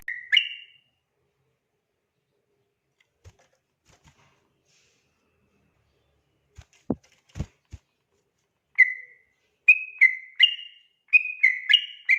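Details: Sooty-headed bulbul singing persistently at night, recorded as a master song for training other birds: short bright whistled phrases, a quick burst at the start, then a quiet gap with faint clicks and taps, then rapidly repeated fluty notes.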